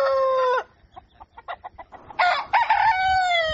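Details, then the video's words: At dawn, a rooster's crow ends in a steady held note. A series of short, soft clucks follows, then another loud crow that breaks into choppy syllables before settling into a long, flat, sustained tone. "Galo Cantando Ao Amanhecer"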